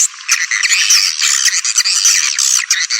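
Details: Swiftlet calling sound of the Walet Naga style, used to attract swiftlets: dense, continuous high twittering and chattering with quick rising and falling chirps, no low sounds present.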